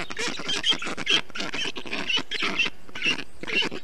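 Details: Young black storks in a nest in Estonia, 20 June 2021, signalling they are fine after a parent brings water and wet grass in the heat; harsh rhythmic rasps roughly twice a second with thin high squeaks.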